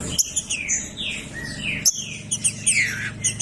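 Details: Green-winged saltator (trinca-ferro): a female calling alongside a singing male, played to stimulate a cold caged male. Dense overlapping whistled phrases, falling slurs and sharp chirps in quick succession, over a steady low hum.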